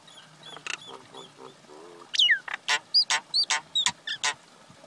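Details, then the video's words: Common myna pair, male and female, giving a loud rhythmic run of harsh squawks about three per second, mixed with sharp upslurred and hooked whistles after softer low chuckling notes. "Call or Song of Male & Female common Myna, Acridotheres tristis"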